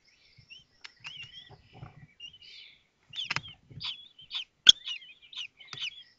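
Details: Kestrel nest in Théding, 19 May 2024, during the hatching of the fifth chick while the other young take a meal; scattered high squeaky chirps and short slurred calls between soft clicks and rustling, one louder sharp tap.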